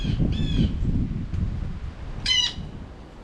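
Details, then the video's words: Late-fall blue jays at a feeder: two harsh, buzzy jay calls close together at the start, then one louder rasping call near the end, with low rumbling wind noise throughout. "Bird Watching Bully Blue Jays"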